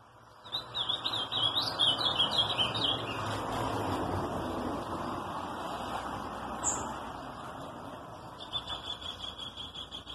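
An Ultramarine grosbeak sings a quick, rich warbled phrase of high, tumbling notes. A few thin notes follow over a steady rushing background noise.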